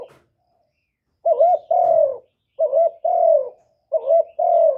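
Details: Spotted dove used as a caged decoy to attract wild birds: three repeated coo phrases about 1.3 seconds apart, each a quick, wavering double note followed by a longer, slightly falling coo. The room is otherwise quiet.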